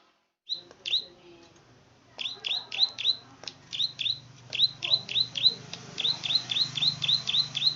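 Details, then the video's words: Singing plain prinia, the klik-klik bird: after a couple of opening ticks comes a long, steady string of about twenty sharp, high, downslurred clicking notes, several per second, with a low hum underneath. "Burung KLIK-KLIK GACOR"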